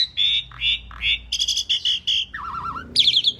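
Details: Asian pied starling (jalak suren) in vigorous masteran song: three clear high whistles, then a quick run of brighter doubled notes, a lower warbling trill and a sharp, high squeaky ending.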